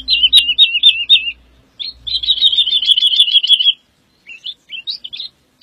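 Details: Woodlark singing a short repeated looping phrase, then a long fast even trill, ending with a few scattered thin notes after a pause; faint low rumble early on.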